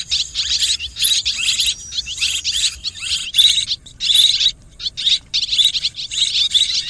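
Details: Swiftlets in a mixed calling recording: dense, buzzy twittering bursts, each about half a second long, following one another almost without pause, with short gaps; a faint low hum underlies the first three seconds.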